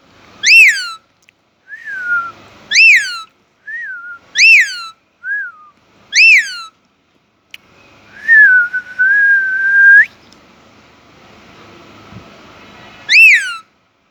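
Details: Pet Indian ringneck parakeet, described as talking in Urdu/Hindi. Loud sharp whistled upslurs and downslurs repeat every second or two, with softer falling notes between and a longer level whistled phrase near the end, indoors.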